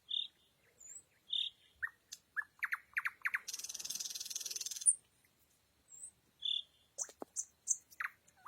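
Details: Nightingale at night, singing high whistled notes, a series of loud downward strokes, then a long even buzzing trill, and afterwards more whistles and sharp varied phrases.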